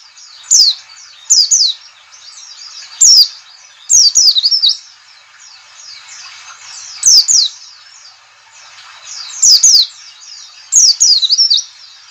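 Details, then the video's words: White-eye lured into singing by a fast call recording: high, thin, rapid chirping twitters in short bursts, loudest phrases repeating every one to two seconds, with a steady chatter between them. "CALL CALL NGALAS cepat memancing PLECI BUKA PARUH."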